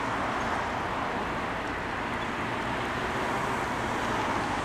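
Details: Continuous road traffic noise with an even broadband roar, and no clear animal calls.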